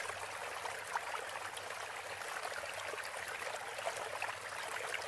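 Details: Steady rushing and trickling of a stream fills the recording, a broad even hiss with no distinct calls standing out.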